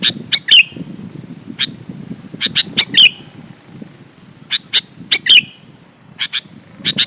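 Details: Sooty-headed bulbul song meant to goad other bulbuls into replying and singing: repeated bright chirps and sharp falling slurs, in quick pairs and triplets with short pauses, over soft low background noise.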